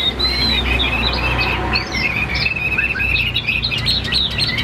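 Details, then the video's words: Caged Chinese hwamei, tam hoàng type, gives a steady stream of quick whistled notes and warbles, partly blurred by a noisy, humming background. "Họa Mi Tam Hoàng, Hót Hét Rất Ổn"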